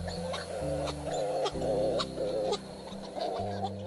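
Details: Hawaiian petrels (‘Ua‘u, a name that mimics the call), an endangered Hawaiian seabird, calling at a colony: wavering, moaning calls overlapping into a raucous chorus over a low, steady musical drone.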